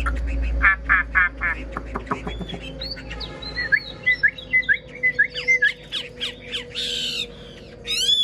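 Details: Old Chinese hwamei, caught in the wild and kept caged, with a fine singing voice; rapid chattering notes give way to short clear whistles and upward-sliding phrases, over a low steady hum.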